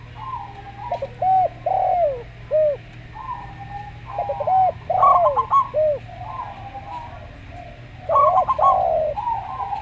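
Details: Local zebra dove with a slow-paced voice, heard alongside Javan spotted dove: clusters of short, arched, hooked coos repeated in bursts separated by pauses of a second or two, over a steady low hum.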